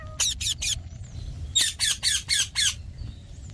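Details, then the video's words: Green pet parrot giving harsh squawks: a group of three short rasping bursts, then five louder squawks in quick succession, with faint whistles between. "Green Talking Parrot | Cute Parrot Sound | smart Talking Parrot"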